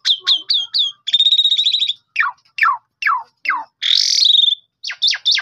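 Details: Asian pied starling recorded by phone, singing to prompt other starlings to sing. Clipped high notes give way to a rattling buzzy trill and then a series of steeply falling whistles. A harsh wheezy burst follows, then quick sharp chips.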